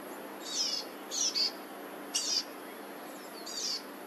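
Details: Black-headed grosbeak nestlings, three in a nest in a laurel in a front yard in South Eugene on 26 June 2023, while parents feed them: high harsh buzzy notes in short bursts, about five over four seconds, over a steady hum of pressure washing.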